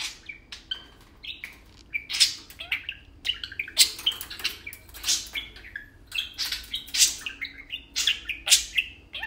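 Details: Two tame parakeets kept as pets, playing and talking indoors; nonstop twittering chatter of quick chirps, buzzy squawks and short whistled phrases, tightly packed and irregular throughout.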